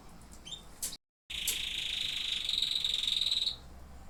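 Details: A canary song phrase: after a brief break, a sustained high buzzy roll, steady in pitch and pulsing rapidly for about two seconds, then stopping.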